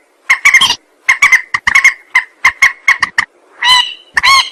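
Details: Rail call played as a trapping lure: clustered harsh clucks and chatter, then a pair of longer, nasal honking notes at the end.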